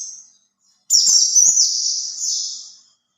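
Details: White-eye lure song: after a brief silence comes one long, high, sweet warble of rapid, tumbling slurred notes, lasting about two seconds, with faint ticking sounds at its start.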